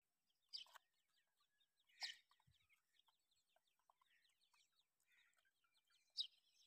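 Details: Grey francolin chicks calling: a few sharp, high peeps near the start, middle and end, separated by soft, scattered chirps and quiet pauses. No other clear sounds.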